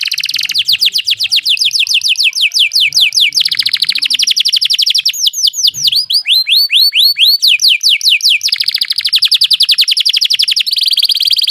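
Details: Canary singing a fast 'ngeroll' rolling song, used as a tutor recording for other songbirds. Dense, rapid trilled tours of sharp repeated notes, some falling, switch pattern every second or two without pause.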